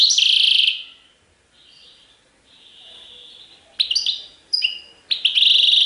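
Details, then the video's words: European goldfinch Serfati Tiwawati style song. It opens with a buzzy trill, goes soft with a long thin tone, then returns as sharp chirps and buzzy trilled phrases in quick succession. "تغريد حسون سرفاتي تيواواطي"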